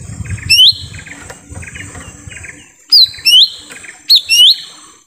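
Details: Lesser green leafbird in a forest, a recording for luring wild birds: a single upslurred whistle, then after a pause with background chirps and rustling, two pairs of bright whistles.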